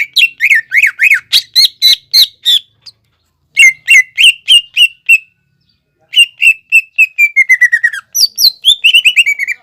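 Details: Greater green leafbird singing fast to encourage leafbirds still learning their song: rhythmic runs of sharp whistles, several per second, in three long phrases, the last sliding steadily lower before rising again.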